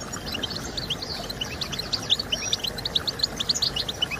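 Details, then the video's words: Soft European goldfinch song for encouraging singing: evenly spaced, short bright chirps in a running chatter, with a few brief slurred notes, over faint steady hiss. "I Discovered the SECRET to Stimulating Birds with Goldfinch Sounds!"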